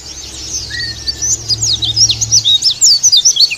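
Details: White-eye of the Bali dakun (dakbal) type, used as a lure and therapy song for other pleci. A fast, high twittering of sharp, slurred notes builds after a soft start, with one steady whistled tone early on.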